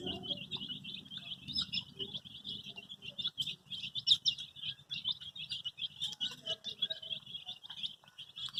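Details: Many colored baby chicks chirping, said to be looking for their mother: a dense, continuous overlapping chorus of high peeping notes, with soft low scuffling underneath.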